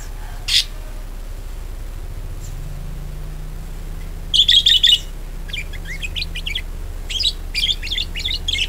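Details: Budgerigar chatter used as a lure to get other birds singing: a lone chirp, then dense bursts of rapid high chattering notes in two stretches, with a low steady hum beneath.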